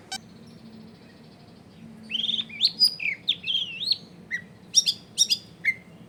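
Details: A long-tailed shrike sings as a lure for rival shrikes, recorded in a crowded neighbourhood: after a quiet start, a run of looping whistled phrases that rise and fall, ending in sharp high chirps and a short clear note, with a soft hum behind.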